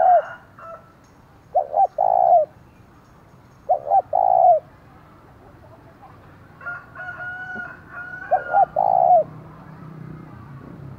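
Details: Spotted dove kept as a decoy, 'giọng thổ' voice, sounding its rival-provoking call. Low coo phrases, each a quick double note then one long coo, come every two seconds, and a rooster crows faintly midway.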